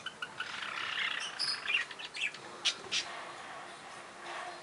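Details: Barred parakeets chattering with rapid, overlapping high chirps and twittering notes, busiest in the first half, then a few louder clipped squeaks before fading.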